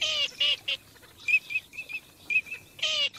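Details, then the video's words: Migrating teal alternate rough nasal quacking notes with sharp high whistles, the harsh calls opening and closing the passage. "teal call migration song"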